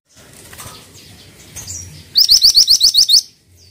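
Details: Pied triller in vigorous song: after faint chirps and a flutter, a loud, evenly spaced series of nine upslurred whistled notes, roughly eight per second, ending abruptly.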